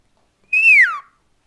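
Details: Pet cockatiel indoors giving one clear whistled note that holds high, then slides smoothly downward, lasting about half a second, with silence around it.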